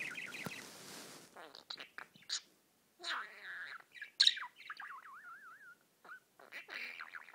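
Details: Pet budgerigar singing and tweeting: a rapid chattering warble of scratchy notes and bursts, ending in a wavering, wave-like trill that rises and falls repeatedly, followed by more clicks and chirps.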